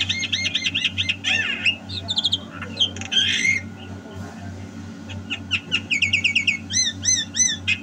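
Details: Javan myna in full song, 2022: rapid repeated whistled notes, harsh squawks and chattering bursts, ending with a string of looping slurred whistles, over a low steady hum.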